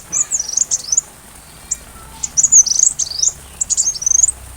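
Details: Sunbird singing, recorded to train a white-rumped shama: very high, thin, scratchy phrases of quick up-and-down twitters, broken by brief pauses, over a faint rain-like hiss.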